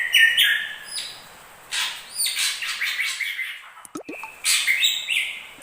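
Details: Drongo singing, from a combination of crested and ashy drongo song: stepped falling whistles and rough buzzy notes, interrupted midway by a brief sharp click, then more whistles.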